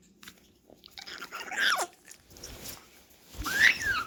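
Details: Grey parrot chick being hand-fed, giving two loud, rough, nasal begging squawks that rise and fall, about two seconds apart, with soft crunching and feeding noises in a small indoor room between them.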